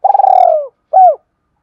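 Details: Spotted dove cooing to stimulate other doves: a long, pulsing, purred coo sliding gradually downward, then after a brief pause a single smooth, arched low coo.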